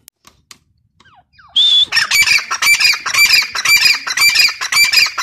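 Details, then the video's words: Female grey francolin calling: after brief faint sounds, a loud harsh, scratchy series of squawking notes with a thin whistled edge starts, repeated roughly twice per second in an uneven rhythm until the end. "Teetar voice | dakhni teetar awaz | irani female teetar ki awaz | gray francolin teetar sound"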